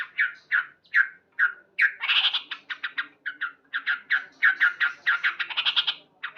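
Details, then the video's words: Sooty-headed bulbul, a male singing loudly in the morning: a few spaced bright notes, then denser, buzzier chattering phrases with higher strident elements. "Terapi Burung Trucuk Gacor"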